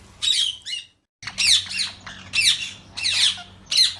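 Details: Ringneck parrot calling at feed time: a run of harsh, rasping squawks repeated roughly every half second after a short pause, loud and high-pitched.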